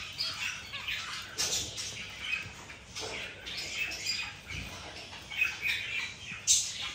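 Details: Zebra finches in their morning routine chatter in quick, buzzy, nasal notes, a steady run of short high bursts with a few louder squeaks, possibly from several birds at once.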